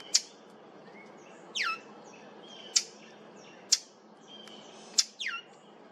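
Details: Brown thrasher at a cemetery on 8 July 2023, making an unfamiliar sound: sharp, smacking chips about once a second with two quick, high downslurred notes between them; faint calls of other birds behind.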